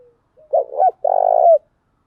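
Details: Captive spotted dove, a female lure bird meant to draw wild doves in quickly, giving one cooing phrase: a short two-part coo followed by a longer, slightly rolling coo ending in a falling note.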